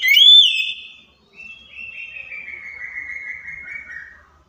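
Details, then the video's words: Oriental magpie-robin song meant to draw a response from a quiet bird: a loud upswept whistle, then a long softer run of rapid, slightly buzzy notes slowly falling in pitch and fading. "KACER MACET, STRES LANGSUNG NYAUT DENGAR PANCINGAN KACER INI!"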